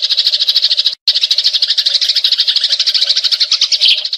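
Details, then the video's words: A short burst of Eurasian tree sparrow fighting chatter, used as tutor audio for magpie robins; rapid scratchy chirps roll on, cut by a moment of silence after one second. "Gereja Tarung Ngeroll Abis"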